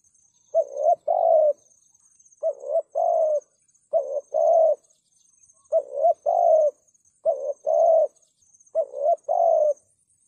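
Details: Spotted dove giving a strong 'thúc gù' cooing call, used to lure wild doves into traps: low, mellow two-part phrases, a short coo then a longer rolling one, repeated six times over ten seconds, with a faint steady high whine behind.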